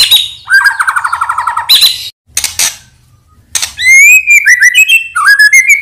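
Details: Medan-type white-rumped shama, an energetic singer, giving a lure song: a fast trill of repeated notes, harsh noisy bursts around a short silence, then bright varied whistled phrases that jump up and down.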